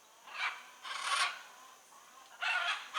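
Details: Blue-and-yellow macaw in the wild, giving harsh, raspy broadband squawks in three bursts, each about a third of a second long, with quiet gaps between them and faint background hiss.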